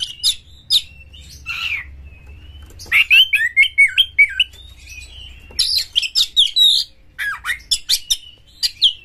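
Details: Oriental magpie-robin in full, emotional song, tail fanned, used to goad other magpie-robins into singing: short whistles and a rapid, warbling phrase, then dense bursts of sharp chirps and trills over a faint low hum.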